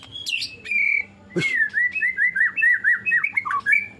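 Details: White-rumped shama (murai batu) kept by a songbird hobbyist, attempting its 'nembak' burst style of singing: a sharp high chirp, then a run of clear whistled notes near one pitch, each rising and falling, roughly three per second.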